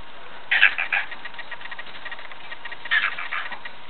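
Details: A male pet cockatiel talks to a female cockatiel in two short bursts of chattering, speech-like syllables, including a very quick "What ya doin?", separated by a brief pause.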